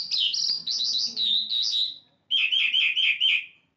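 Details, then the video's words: Asian lark song with a series of high warbled notes slurring downward, a brief pause, then a rapid string of about eight lower chirping notes, clear and close. "asian lark singing bird"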